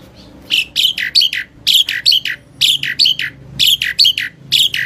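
Asian pied starling giving harsh, raspy chattering notes in quick clusters of three or four, with short pauses between bursts. The background is otherwise quiet.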